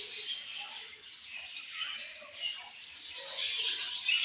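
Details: A flock of budgies keeps up continuous high chirps and warbling chatter, growing into a louder, denser wash of squeaks over the last second.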